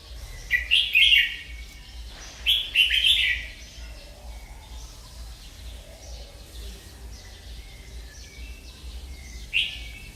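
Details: Merbah lekir bulbul giving two bubbling warbled phrases early, then long quiet with faint background chirps and one last short liquid note near the end.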